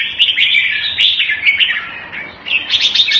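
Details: Red-whiskered bulbul kept by a bird hobbyist, giving lively bubbling phrases in short bursts, dipping briefly quieter before a final run of higher chirps.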